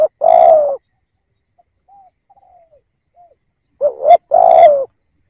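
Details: Decoy spotted dove cooing: a long mellow coo, a pause with a few faint distant notes, then a short two-part note followed by another long, slightly falling coo.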